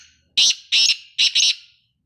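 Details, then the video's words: Calling male black francolin: four loud, scratchy, buzzy notes, delivered as two close pairs within just over a second, clean background with no other sounds. "کالا تیتر آواز ویڈیو کالا تیتر کو بولانے والی آوازیں"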